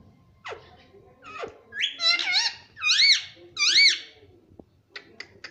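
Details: Pet ring-necked parakeet in a small room repeats a nasal, arching two-part word three times in a row, each about a second apart, framed by soft clicks and ticks.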